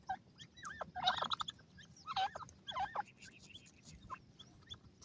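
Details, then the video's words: Grey francolin chicks playing energetically; a jumble of squeaky, rising and falling chirps in short bursts, with several birds calling over one another. "Teetar Bachay Ka Dhamal,grey francoline Chicks' Power Play"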